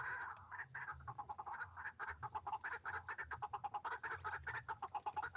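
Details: White-breasted waterhen heard while being trapped with a hanging snare, uttering a fast, throaty, rattling stream of croaking notes, several per second, rising and falling in loudness throughout.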